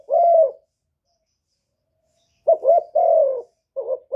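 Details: A spotted dove used as a decoy in Cà Mau, Vietnam, coos to attract wild birds. After a single drawn-out coo comes a long silence, then a quick double note, a long sliding coo and another short note.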